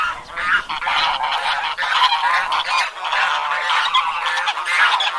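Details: Flock of domestic geese giving a steady, overlapping stream of loud, harsh nasal honks with no pauses, several birds calling at once throughout.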